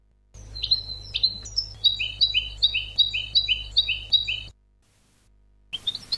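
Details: European goldfinch educational song: a few high slurred notes, then a steady run of paired chirps repeated about twice a second, a silent break, and a fresh burst of twitters.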